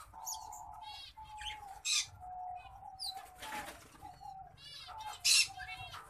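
A finch-canary hybrid sings a run of rapid, high, buzzy trills and chirped phrases, with a couple of sharp bursts of wing flutter.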